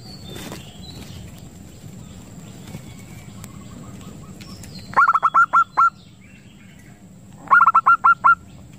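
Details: Zebra dove (perkutut) lure call used to attract doves and stimulate breeding: two bursts of six rapid, clipped cooing notes with a slight hook, each burst under a second long, separated by quiet low background hum.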